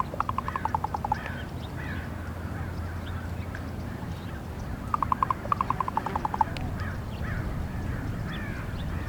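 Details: Female raven calling to her mate with two rapid series of hollow knocking clicks, each about a second long and several seconds apart, over steady low rumbling background noise.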